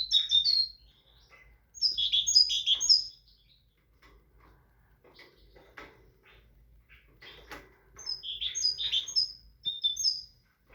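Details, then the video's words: Tit singing: short bursts of clear, high whistled notes, some sliding, grouped into phrases near the start, around two to three seconds, and again from eight seconds on. Quiet clicks and faint chirps fill the gaps. "تغريد طائر الحداد(القرقف)"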